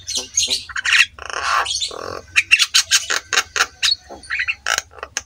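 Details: Black-winged myna master song for training other mynas and coaxing quiet ones to sing: harsh squawks, rasping buzzes and sharp clicks in quick irregular bursts, with a low hum underneath.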